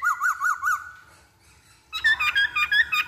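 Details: Black-throated laughingthrush singing as a lure: four quick, evenly spaced chevron-shaped whistled notes, a quiet pause, then a dense burst of bright warbled notes with overtones.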